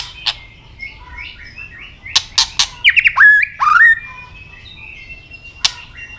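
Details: Fighting song from a white-rumped shama with tail-flick clicks: soft warbled notes, then three loud clicks and two strong rising slurred whistles, followed by a faint tone and a final click.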